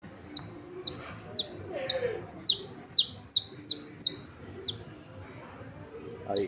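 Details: Saffron finch singing: short, high, sharp descending chips repeated about twice a second, with a low background hum.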